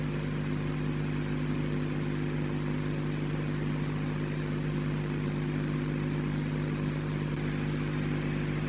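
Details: A steady engine idles throughout, with a constant low drone and a broad noisy hiss and no animal voices.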